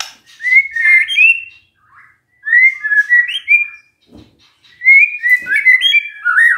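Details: Magpie-robin lure song for a silent bird to answer: three bursts of warbled whistled phrases separated by short gaps, with a faint click between them.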